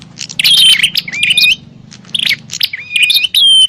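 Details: Bar-winged prinia in a noisy fighting call for luring wild birds: harsh high twittering mixed with short upslurred whistles, in two quick bursts separated by a brief lull.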